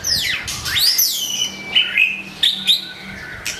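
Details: Long-tailed white-rumped shama giving high sweeping whistles that glide down and up, followed by a few short clipped notes.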